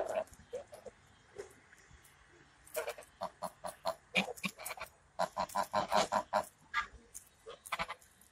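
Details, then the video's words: Chatty geese giving short, nasal honks. Scattered single notes come first, then a quick series of evenly paced honks about three per second in the middle, and a few looser calls at the end. "Балакучі гуси) Talkative geese)"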